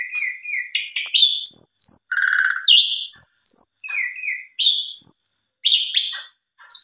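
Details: Asian pied starling singing a varied song used as a lure for other birds: whistled notes at different pitches, buzzy harsh bursts and sliding phrases in quick succession, with brief pauses.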